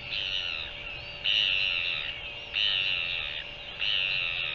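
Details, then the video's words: Northern royal albatross, recorded 24 January 2023: three harsh, buzzy bursts, each about a second long, repeated roughly every 1.3 seconds over a steady electrical hum. "Northern royal albatross"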